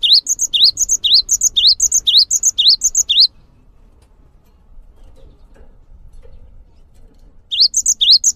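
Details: Cinereous tit repeating a rising note followed by two high whistles for three seconds. The song stops, leaving faint low background rustle, then starts again near the end.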